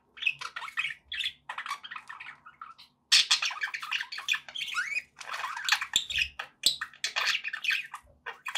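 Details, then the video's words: Several pet budgerigars chatter continuously, mixing warbled chirps, buzzy squawks and rising whistles in dense overlapping bursts, with low background noise and a few soft clicks. "budgie sounds"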